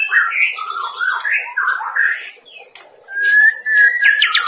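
A white-rumped shama sings rich, looping whistled phrases that swoop up and down, then switches to steadier ringing notes and sharp bright chips.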